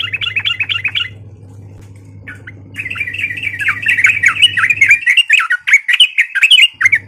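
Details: Sooty-headed bulbul giving a fighting call meant to provoke other birds: a short bout of rapid, bubbly notes, a pause, then a long run of quick, chattering, slightly buzzy notes, over a steady low hum.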